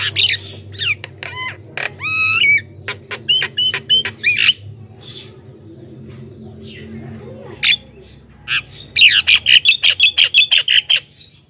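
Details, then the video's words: Lively Javan myna song meant to draw wild mynas: rising whistles and harsh chattering notes early on, a quiet gap, then a fast even series of about a dozen rasping notes, with a faint low background hum. "suara burung jalak kebo gacor,ocehan full bikin jalak lain ikut gacor dalam sekejap"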